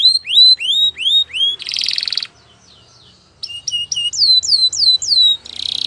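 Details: A Belgian canary sings quick swooping whistles, then a buzzy rattle and a brief quiet spell. It resumes with repeated falling whistled notes and closes on another buzzy burst.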